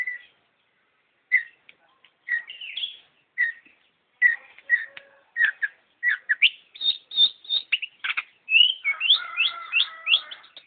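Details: Vigorously singing long-tailed shrike with a varied, chattering song. Scattered sharp chips build into dense runs of mixed whistled and harsh notes toward the end.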